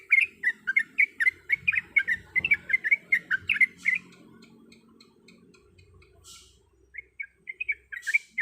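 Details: A female sooty-headed bulbul calls to the male: a fast run of chirping notes lasting four seconds, then near silence with a faint hiss, then a short renewed burst of chatter.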